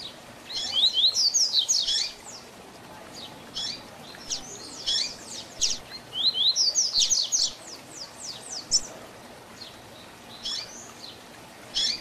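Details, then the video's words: A double-collared seedeater repeats its Tui Tui Zel Zel training song: dense bursts of high, rapid, down-sweeping whistled notes recurring every few seconds, separated by short quieter gaps with odd chips. "Tui Tui Zel Zel Diferenciado Encarte seu Coleiro ou Papa capim"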